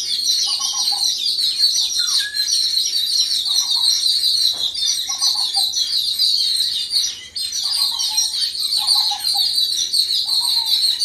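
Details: Yellow-billed babblers reacting together against an unidentified threat: a dense, continuous high chattering chorus, with short lower buzzy notes breaking in every second or two.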